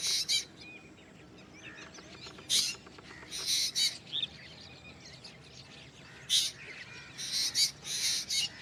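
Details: Harsh grating bursts from a black drongo, clustered near the start and end, separated by quieter, softer chattering notes.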